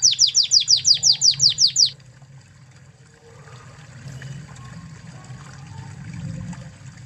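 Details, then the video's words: Spanish Timbrado canary from Spain, recorded as a tutor song: about ten loud, falling chip notes in quick succession over two seconds, then only a soft rushing background. "Masteran Kenari Spanish Timbrado Ori Spanyol"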